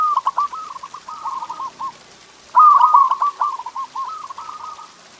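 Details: Tutor song of a local zebra dove, used to stimulate caged doves to sing: a stuttered series of cooing notes breaking into a rolling trill, repeated after a gap of about a second.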